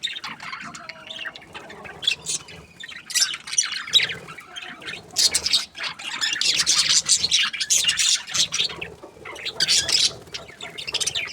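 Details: Happy budgerigars build from scattered squeaks into dense, raspy chattering and chirping, with bursts of overlapping calls from many birds.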